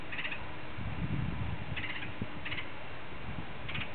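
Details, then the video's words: Woodpecker, passed on a walk and acting as if its nest were nearby, gives short, sharp, high warning notes, four in about four seconds at an irregular pace, over a low rumble of wind or handling noise. "Woodpecker Giving Warning"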